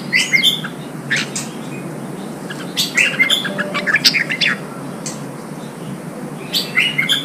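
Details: Wild-caught red-whiskered bulbul being coaxed to sing as training for song contests. It gives lively clusters of clear, slurred whistled notes, repeated in several bursts across the clip against constant low noise.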